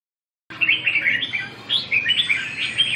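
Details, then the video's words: Red-whiskered bulbul at a song-training session on 2 June 2012: after half a second of silence, bright warbled chirps come in quick, uneven bursts, each phrase rising and falling, with short gaps between clusters. "dợt cm 2/6/2012"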